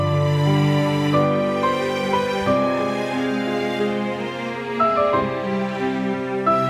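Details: Slow, sad instrumental music with sustained chords plays throughout, with no animal sounds.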